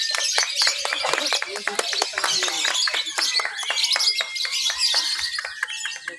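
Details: Competing lovebird at an outdoor irrigation-site contest in Papua, Indonesia, on a Sunday in late October 2021, chattering its ngekek song while on the cage bars; rapid, high, scratchy twittering without pause, people talking in the background.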